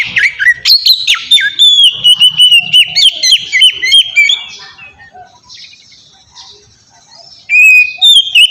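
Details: Oriental magpie-robin 'ngeplong' song used as a lure for young captive magpie-robins. A dense run of varied whistles and sharp chirps for about five seconds fades to near silence, then a loud whistled phrase returns.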